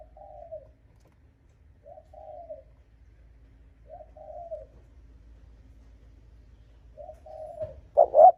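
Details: Spotted dove call to provoke and lure rival males: low mellow coos, each a short note slurring downward, spaced about two seconds apart with quiet gaps between, ending in one loud abrupt coo.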